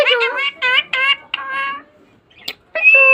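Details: Green parrot kept as a pet, talking: a quick run of voice-like, rising and falling syllables, a pause with a faint click, then a sustained nasal word.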